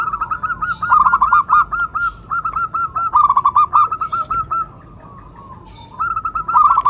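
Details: Local Indonesian zebra dove (perkutut lokal), a champion bird in full voice, giving its calling song used as a lure and trigger: rapid staccato bursts of soft, bubbling coos in repeated phrases, a quiet gap of over a second, then resuming.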